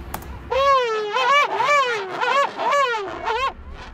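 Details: A female king penguin at Gold Harbour, South Georgia, gives her loud trumpeting call: a run of rapid, wavering bugled syllables over about three seconds, rich and harmonic with a pulsing rhythm, a syllable pattern distinguishing females from males.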